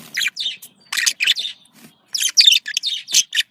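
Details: Budgerigars, female and male pets, chattering to prompt mating: short clusters of high squeaky chirps and buzzy warbles separated by brief silences, with a livelier burst near the end.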